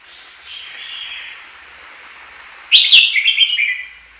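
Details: Chinese hwamei in a Japanese neighbourhood: a soft continuous warble, then a loud burst of fluty whistled notes tumbling rapidly for over a second.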